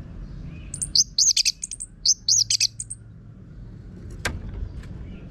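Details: Orange-headed thrush (Geokichla citrina) song from North Bali, Singaraja, a coarse-voiced lure recording used to train birds to sing: two bursts of high, sharp, looping whistled notes, then a single loud click and low background hum.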